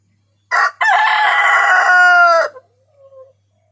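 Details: A Lohman MB 402 rooster gives one loud, harsh crow about two seconds long, opening with a short note and then a long held phrase that falls away at the end.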